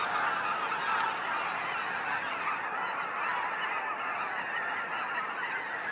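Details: Waves of snow geese flying out at sunset from Sacramento National Wildlife Refuge, a dense unbroken chorus of many overlapping honking calls merging into a steady roar, with no single voice standing out.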